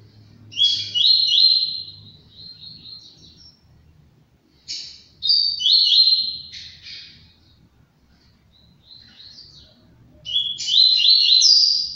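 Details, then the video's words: Double-collared seedeater, a captive-bred bird, singing loud bursts of rapid, slurred whistled notes with buzzy trills, three phrases separated by pauses of about two seconds, with faint low background hum. "Coleiro Maverick"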